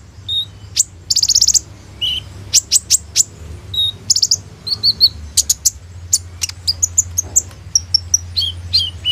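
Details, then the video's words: Sunbird song recorded on a phone, used as a lure to train other birds: very high, thin, rapid chips and short buzzy trills, sharp single notes and quick twittered runs in a busy, varied stream over a low steady hum. "SUARA BURUNG KOLIBRI NINJA GACOR FULL ISIAN TEMBAKAN MEWAH"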